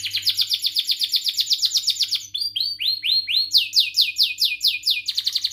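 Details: Canary singing a long song to coach young canaries; repeated whistled notes sweeping downward, several per second, change into slower strong descending sweeps and then back to quicker ones.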